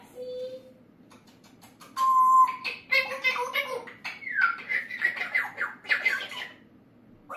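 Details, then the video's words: Pet parrot, described as cheeky, chatters in a scratchy, speech-like voice, with a loud squawk and rising whistled syllables breaking through; human voices are heard too. "Mon perroquet L'INSOLENT"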